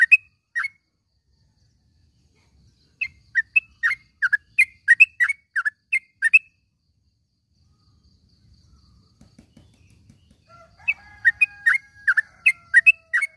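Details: Morning yellow-vented bulbul calls for training caged birds: scattered sharp, downslurred chirps, a long string of rapid bubbly notes, a quiet low rumble, then further quick chirps over a faint steady whistle.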